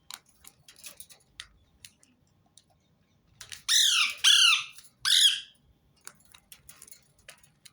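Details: Loud, grating screeches from a rose-ringed parakeet, played to get other birds singing. Three harsh calls come close together midway, with faint clicks and soft chatter before and after.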